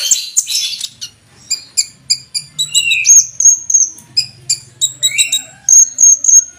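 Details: Olive-backed sunbird song, a full fill-in style imitating the cucak jenggot, used as a master song for training cage birds: high, thin chirps and sharp whistled notes in rapid bursts with short pauses, some trilled runs.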